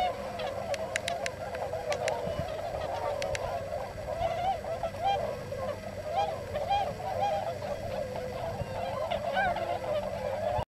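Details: Hundreds of wintering tundra swans, visiting from Eurasia, in the rice-field plain of Nogi near Yasugi, Shimane, Japan, gleaning fallen grain between roosts at Yonago waterbird park, give a dense, continuous chorus of mellow, whooping honks, many overlapping without pause.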